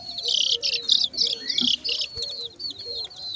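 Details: Several chicks peep at once in a bright, crowded chorus of high, quick chirps that come in bursts roughly twice a second, with quieter low hums and a single knock.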